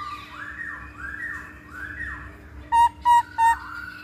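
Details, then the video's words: Masked laughingthrush lure recording for attracting or training birds: soft looping whistled notes rising and falling over a constant hum, then three loud short ringing notes, evenly spaced, about a third of a second apart. "Pancingan Poksay Hongkong"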